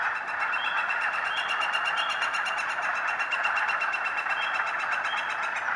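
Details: Steady broadband hum and hiss, like a running vehicle, with a faint rapid ticking throughout and no clear animal voice.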